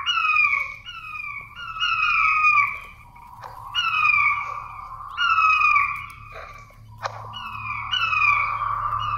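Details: King quail lure call used to attract quail: clear whistled phrases slurring downward, repeated in bursts about every one to two seconds with short pauses between groups.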